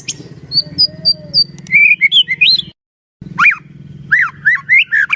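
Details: White-rumped shama song used as a trainer to make other shamas sing: pure whistled notes near 4k, then rising and falling whistles and rapid looped phrases after a short break, with a low hum underneath.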